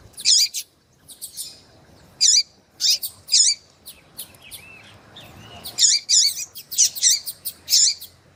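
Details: Female rusty-collared seedeater, kept by breeders, calling to excite a male: bursts of high, sharp chirps in quick clusters, about ten notes over eight seconds with short pauses between groups.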